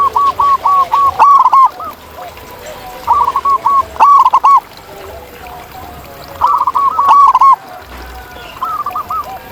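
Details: Several wild local zebra doves: repeated rapid runs of five or six looping, staccato coos at a steady pitch, phrases coming every two seconds or so, with quieter overlapping calls from other doves.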